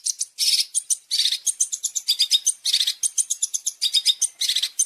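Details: Long-tailed shrike tutoring song (masteran) with champion fill (isian): a dense, busy stream of high chirps mixed with scratchy buzzy bursts, continuing without a break.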